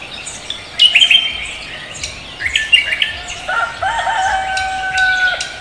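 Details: Cucak kombo (koak kelapa) in lively morning song: bright high chirps at first, then clear sustained whistled notes with short wavering phrases, repeated in quick succession.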